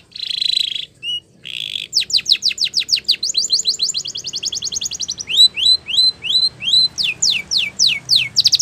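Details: Training song of a Spanish Timbrado canary: buzzy tones, a rapid run of falling sweeps, a fast metallic roll, then rising whistled slurs repeated about every half second, ending in steep descending strokes.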